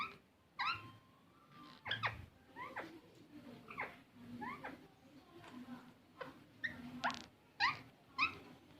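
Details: Green parrot giving short, loud rising squawks with strong harmonics, scattered irregularly through the stretch, some doubled, with faint chirps and a low indoor hum between them.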